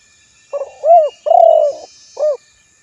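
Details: Spotted dove, recorded to lure and call a rival: a faint lead-in note, a rounded coo, a long throbbing drawn coo, then a short clipped coo, mellow and low against a soft high hiss.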